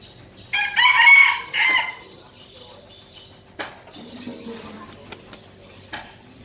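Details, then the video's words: Male red junglefowl decoy bird crowing one short broken crow in two rough bursts, followed by quieter rustling, clicks and faint chirping in the background. "giọng gáy của gà rừng mồi"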